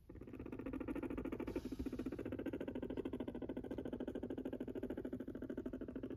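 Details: Silkie guinea pig, a pet kept indoors in a homemade cage, purring steadily for the whole stretch: a low, rapid, buzzy pulsing rumble with even, fast beats and no pauses.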